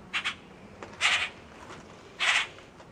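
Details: Common grackle (Quiscalus quiscula) nestlings, loud rehabilitation hatchlings about two weeks after admission in early May, in an outdoor aviary at the Wildlife Center of Virginia. They give harsh, raspy begging bursts, first a quick double, then two longer rasps about a second apart, over faint hiss.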